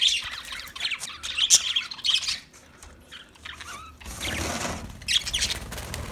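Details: Budgerigar, an Australian parrot, giving squeaky chirps and scratchy warbles for about two seconds, then sparser notes, a burst of rushing noise, and a few more chirps at the end.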